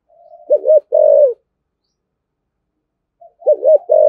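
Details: Spotted dove in 'thổ thúc gù' voice, a lure for provoking wild doves: two low coo phrases, each a quick wobbling double note then a longer even coo, separated by silence.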